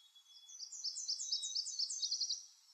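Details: Boreal chickadee in the Maine boreal forest giving a quick run of about ten high, thin, down-slurred notes, ending in a tight little cluster, over faint background hiss.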